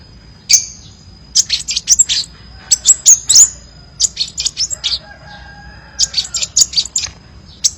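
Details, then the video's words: Crimson sunbird giving a many-variation song: high, clipped chirps in irregular groups, with a thin steady high tone throughout and a faint low hum midway. "masteran burung sepah raja banyak variasi ( suara audio kicau burung )"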